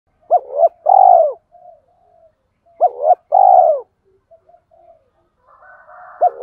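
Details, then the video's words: Spotted dove used as a decoy, giving calling and urging coos to train newly caught doves: two hollow, mid-pitched phrases about three seconds apart, each a short double note then a longer, falling, drawn-out coo. Faint softer notes sound in between. "Tieng chim cu gáy mồi gáy gọi vs thúc dùng tập bổi mới"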